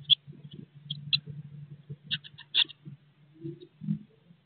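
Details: Inside a nest box, Eurasian blue tit young aged 16 days, soon to leave, utter scattered sharp high squeaks, some doubled, amid muffled rustling and a low steady hum.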